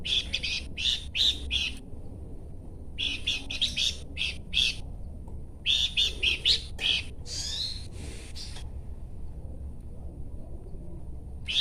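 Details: Horsfield's babbler chattering in long runs of harsh buzzy notes, delivered in clusters separated by silent gaps of one to two seconds, with one drawn-out rasping note in the middle.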